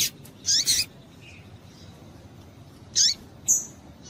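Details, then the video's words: Female double-collared seedeater call used to excite males: a quick pair of high chirps, then isolated sharp chips and a brief thin whistled note, with long quiet gaps. "Piado de Fêmea de Papa capim Para Esquentar Papa capim"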